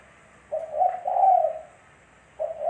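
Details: Spotted dove cooing for use as a lure: a single clear phrase of a short hoarse note then a long, gently rising coo, and the next phrase beginning at the end.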